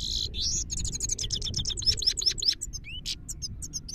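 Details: Himalayan goldfinch song recorded in Parachinar: a dense, fast stream of tinkling, upslurred twitters about 150 notes a minute, starting with a buzzy note and ending in a few clear sweeping whistles, over a faint low hum.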